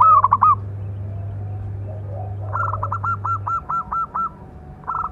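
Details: Local zebra dove with a big voice, calling to lure and train other doves: an opening burst of stacked notes, then a run of about eight clipped repeated coos, over a steady low hum.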